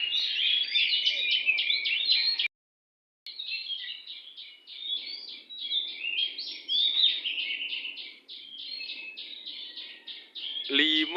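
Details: Rich, unbroken song of an oriental magpie-robin outside a house: varied chirps, whistles and harsh chatter, with a brief gap of silence and a sharp click near the end.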